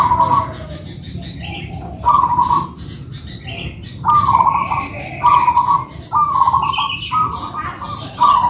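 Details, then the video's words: Local-type zebra doves singing in a duet: repeated short cooing phrases, some overlapping, coming every second or so, with other faint bird chirps higher up and constant low background noise. "PERKUTUT MANGGUNG"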